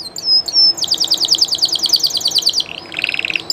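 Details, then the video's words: Canary of the Spanish Llarguet breed, recorded live: high sweeping whistles, then a rapid pulsed trill of doubled notes. A lower, softer bubbling roll ends the passage. "CANTO DE CANARIO DE UNA RAZA MUY CONOCIDA Y DE LEYENDA llarguet español"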